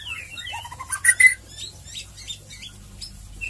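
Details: Ngeriwik ngeplong song of a white-rumped shama (murai batu), used as lure audio to provoke singing: a descending whistled phrase, a loud piercing double note, then softer chirps and twitters with low hum beneath.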